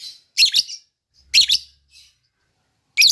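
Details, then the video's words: Lovebird calling to draw other lovebirds into calling back: three short bursts of harsh, squeaky high chirps with brief pauses between. "pancingan lovebird ini bikin semua burung lb diam langsung nyaut ikut ngekek"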